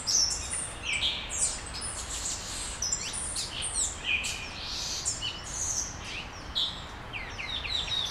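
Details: Several small birds sing at dawn in Brasília, Brazil, pouring out high chirps, steep whistled slides and clipped tweets in a lively, continuous overlapping chorus.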